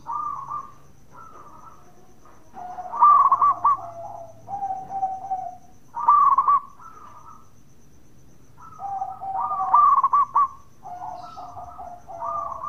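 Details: Lively local zebra dove repeating its bekur call, which is said to prompt other doves to call back; several rolling, stuttered coo phrases trailing into long mellow tones, delivered in quick succession.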